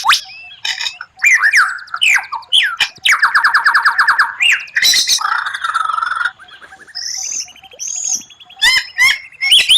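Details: Murai batu (white-rumped shama) delivering a strange, captivating song of rare 'tembakan' phrases: a jumble of sliding whistles and harsh notes, a dense rattling trill, a rising stuttered buzz, and two high pure whistles.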